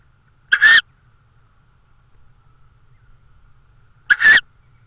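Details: Tawny owl recorded in Estonia on the evening of 16 May 2013 around prey deliveries: a pair of hoarse, hissing screeches about three and a half seconds apart, with quiet background.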